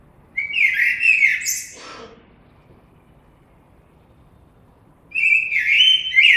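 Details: Common blackbird song: a mellow warbled phrase around two kilometres of pitch, low fluting notes followed by a higher squeaky flourish, then silence and a second fluted phrase starting after a long pause.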